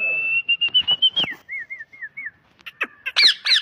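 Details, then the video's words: Parrot vocalizing: a long steady whistle with rising pulsed notes, then a run of short downslurred whistled notes, ending in harsh squawky chattering calls. "Parrot talking sound"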